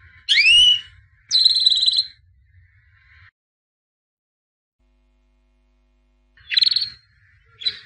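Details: White albino canary, a 2017 champion, giving short separate phrases: a rising whistled sweep, a steady high buzzy note, then after a long silence two more brief chirps.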